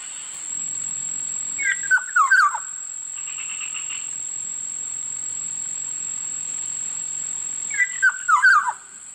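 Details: Black-naped oriole repeating its fluty, slurred whistle phrase twice, about six seconds apart, with a brief buzzy rasp between them and a continuous faint high whine underneath.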